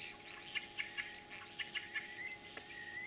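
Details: Spring song of a common starling in Kalyazin district, Tver region, Russia, recorded 9 April 2023: a rich, jumbled stream of chirps, short whistles and crackly notes, closely packed, ending with a long rising whistle.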